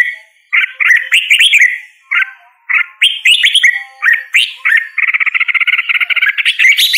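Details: Red-whiskered bulbul song of short, lilting whistled phrases separated by brief gaps, ending in a fast, even series of rapid repeated notes that climbs in pitch at the close.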